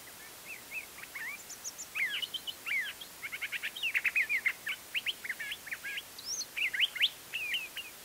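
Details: Curve-billed thrasher in spring song at Embudito Canyon on Albuquerque's eastern edge, New Mexico, March 31, 2010, mid-morning; a continuous jumble of quick slurred whistles and harsh chirps, some high thin notes, building louder midway.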